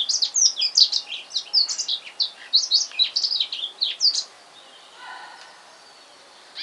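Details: Male black-throated canary, just brought home in the afternoon and singing indoors: about four seconds of fast, bright, warbling high notes in a tight run, then a quiet stretch with faint low hum.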